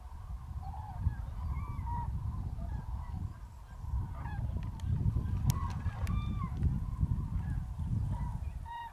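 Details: At a freezing, foggy mid-January dawn, hundreds of common cranes stir at a huge roost in Spain's Tablas de Daimiel National Park. Many overlapping bugling and honking calls, with scattered clicks and a steady low rumble beneath.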